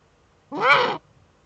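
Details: Female Eurasian eagle-owl scratching in her nest niche, filmed by a nest camera in northern Rhineland-Palatinate, Germany, on 5 May 2013; a single hoarse, rasping call about half a second long, rising then falling, over quiet background.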